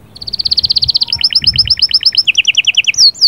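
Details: Canary singing, its song styles locally called sahsahat and batbatat, said to get a female ready for breeding; a fast even trill of whistled notes, then rapid paired chirps and bright, repeated upslurred whistles.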